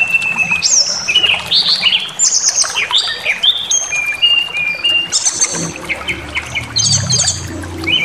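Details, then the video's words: Provoking lure song of a brown-chested jungle flycatcher, meant to rouse aggression and make birds show their whole repertoire: busy sequence of sharp whistles, downslurred notes and fast high trills, with faint low rumble underneath. "Pancingan Emosi SRDC Awas Ikut Ngamuk Bongkar Materi"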